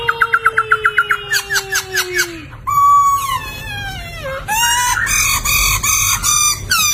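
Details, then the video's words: Loud, lively song of a poksay laughingthrush for training other cage songbirds: a quick series of about ten short repeated notes over a long falling whistle, then a sliding whistle dipping low, followed by rapid harmonic-rich chattering phrases. "Suara Merdu Burung Poksay Gacor"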